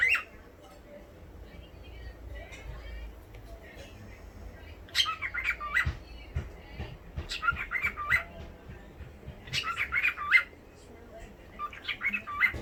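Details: A cockatiel talking, chattering in bursts of squeaky, warbling syllables mixed with mimicked speech-like sounds.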